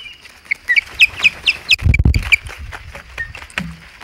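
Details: Osprey calls at a Hog Island nest with three birds present, 15 August 2020: series of short, sharp, high whistled chirps in quick bursts, with a low thumping knock near the middle.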